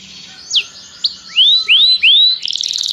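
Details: Canary in song training calling another canary to sing: two short downslurred chips, three loud rising whistled notes, then the start of a rapid rattling trill.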